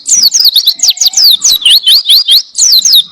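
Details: Caged-bird training tutor of an Oriental white-eye. Quick, high, slurred chirps tumble in a lively stream, mixing downward and upward sweeps with short pauses, clearly recorded with little background.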